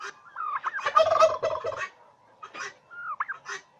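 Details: Farmed turkeys in Bangladesh: a loud, rattling gobble in the first half, then separate rising, wavering yelps.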